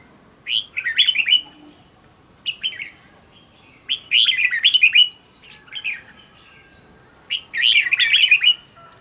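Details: Red-whiskered bulbul trained as a decoy singer: four separate bursts of sweet, rapid warbling, each a tight run of rising-falling whistled notes lasting under a second, spaced by pauses of a second or more.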